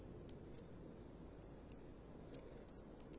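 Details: Female common kingfisher on a new perch at 13:29 on 2 March 2015, after bathing, begging a male for a fish: a few thin, high, sharp whistled notes, some briefly sliding downward, spaced irregularly over quiet background hiss.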